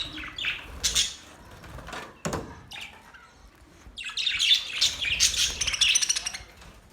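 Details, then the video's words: Budgerigars chirping with separate sharp high calls and squawks early, a brief gap, then a rising burst of quick warbled chatter. "Beautiful Australian birds chirping sounds Beautiful Australian Budgies birds talking"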